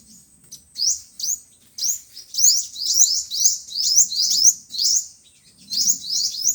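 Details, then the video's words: High, bright upslurred chirps from five-colour and seven-colour sunbirds, used as a trapping lure through a loudspeaker, coming in quick runs with short pauses between. "Tiếng chim hút mật 5 màu và 7 màu"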